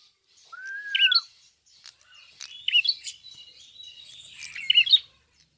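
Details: Red-fronted prinia singing in full voice, open-beaked: a long steady whistled tone bending down, then dense high chirps, twitters and quick rising squeaky notes in bursts.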